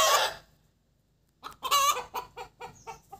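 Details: Hen cackling after laying an egg: one loud harsh drawn-out squawk, a pause, then a burst of short clucks rising into another long squawk and fading clucks.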